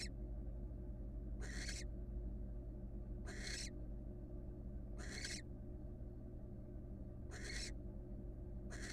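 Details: Wild barn owl, female, settled in her nest box for a one-legged rest, repeats a harsh breathy screech five times at uneven intervals of one to two seconds against a continuous deep background hum.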